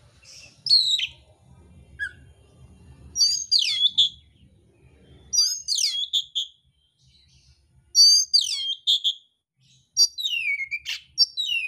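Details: Fighting oriental magpie-robin, kacer mintal, with a coarse-filled song: separate loud phrases of high, steeply falling whistles with sharp ticks, set apart by short pauses, the last ending in a long downward slur.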